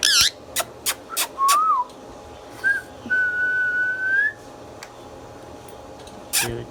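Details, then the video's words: Pet Indian ringneck parrot, known as a talker, opening with a harsh burst and clicks, then an arched whistle and a long level whistled tone, with quiet gaps between. "Mithu Mithu Bolne Wala Tota | Indian Ringneck Parrot natural Sounds"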